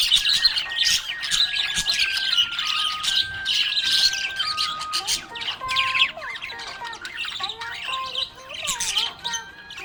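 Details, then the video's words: Happy budgie chirping: fast, grating twitters throughout, first over sustained descending tones, then mixed with quick rising and falling whistled notes. "Happy budgie chirping sound"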